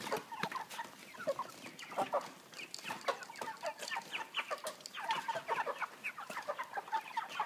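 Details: Caged broiler chickens of 3 kg at a pan feeder on a plastic floor make rapid overlapping clucks and chirps in bursts, louder toward the end, with frequent mechanical clicks.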